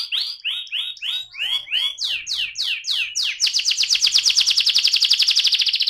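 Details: Rolling song from an AF canary: a series of slurred downward whistles, then mid-pitched sweeps, ending in a very rapid bright trill; faint low hum beneath.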